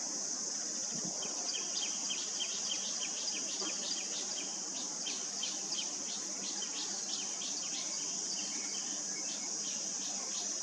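Black-collared starling chick giving short, high, scratchy begging notes, several a second in uneven bursts, over a constant high insect-like hiss.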